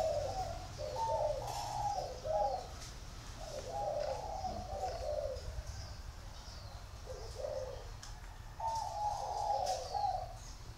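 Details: Spotted dove from a northern Vietnam dove aviary in Ba Vì, singing the dây vàng style: groups of soft, low, hollow coos with rounded rising-falling notes, repeated in three phrases over ten seconds with short pauses, over a low steady hum.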